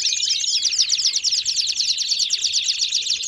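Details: Singing Belgian canaries: a fast, shrill rattle of tightly repeated notes with brief rising whistles at the start, loud and unbroken across the short stretch.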